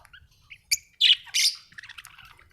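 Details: Happy budgie giving a few faint chirps, then two loud harsh squawky notes and softer chatter, over a low background hum.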